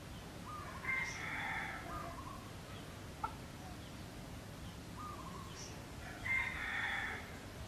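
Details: Two distant crows, about five seconds apart, from free-living junglefowl at a pagoda near Teuk Chob Khnar Po Community Forest, Siem Reap, Cambodia; each a brief lead-in note and a long harsh phrase, with a sharp click and steady background rumble.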